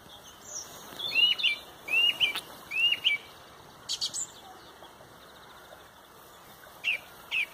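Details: Song thrush leading a loud dawn chorus at sunrise in Pontrobert: a short high whistled phrase is sung three times in a row, roughly every 0.8 seconds, then a pause before two brief sharp notes.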